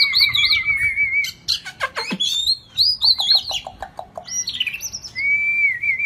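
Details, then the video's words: White-rumped shama, shrimp-tail type, in 'rít thuốc lào' song: a long high whistle, loud downward slashes, a burst of rapid clicks, then warbled high phrases closing on a steady, level whistle. "chòe lửa đuôi tôm hót rít thuốc lào"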